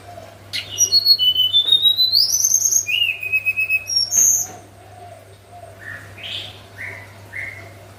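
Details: Morning 'nyuling' song of a hill blue flycatcher (tledekan): a sweet, fluting run of pure whistles climbing step by step, a brief pause, then a few short, softer whistled notes trailing off; low background hum.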